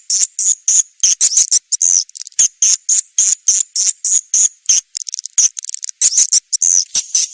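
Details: SP. KADITA swiftlet lure call for attracting birds to nest houses, made of shrill, buzzy chirps repeated roughly three times a second in an uneven, chattering rhythm, sometimes breaking into short trills.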